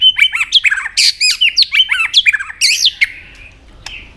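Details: White-rumped shama in competitive singing, tail flicking: a dense, rapid jumble of looping whistles and sharp chips for three seconds, then a faint trailing note and a single click.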